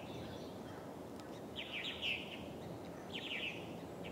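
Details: Purple martin (Progne subis) near an osprey nest at Steigerwald Lake National Wildlife Refuge, Washington, USA, on 24 July 2011, giving two short bursts of rough, chirpy gurgling notes, with a hushed outdoor noise bed throughout.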